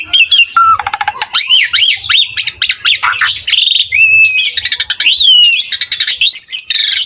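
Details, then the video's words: Asian pied starling in lively song, played as a tutor recording to get other starlings singing. It mixes rising and falling whistles, sweeping slurred notes, harsh squawks and quick chattering trills without pause. "MASTERAN BURUNG JALAK SUREN GACOR"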